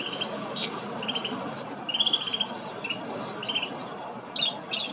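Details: Snow bunting in Kananaskis, Alberta, Canada: short, bright chirping notes and buzzy twitters, scattered and irregular, some clustered in quick bursts, over a steady rushing background hiss.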